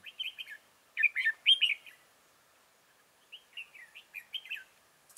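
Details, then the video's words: Red-whiskered bulbul used as a trapping decoy in Chương Mỹ, Vietnam, 7 October 2018; loud bursts of bright chattering whistles, a pause, then a quicker phrase of short slurred whistled notes. "Bẫy chào mào Chương mỹ"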